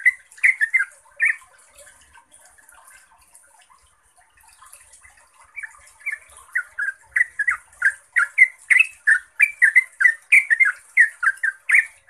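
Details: Song of a yellow-vented bulbul meant to coax other bulbuls into singing. A few scattered chirps open, then several seconds of near quiet, before a long run of rapid, bubbling, up-and-down notes builds and continues steadily to the end.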